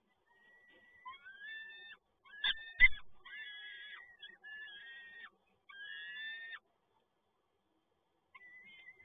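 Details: On 7 May 2022 at PGE Toruń, Poland, a peregrine falcon calls as the male brings in another prey item: a string of rising, nasal wails in several bouts, with two loud knocks near the start and a faint call at the end.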